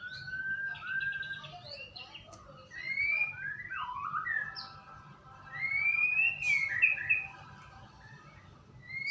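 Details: White-rumped shama lure song for prompting singing: clear whistled notes, some long and level, others rising or looping, delivered in a steady flowing sequence over a faint low hum.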